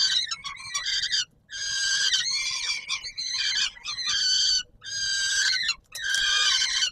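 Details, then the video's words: Peregrine falcons calling at supper time at the Palace of Culture and Science, Warsaw, Poland, July 2022. Insistent, hoarse screams come about once a second, with some choppy stuttering notes among them. "Sokół wędrowny PKiN Warszawa - Chłopaki wstawać kolacja"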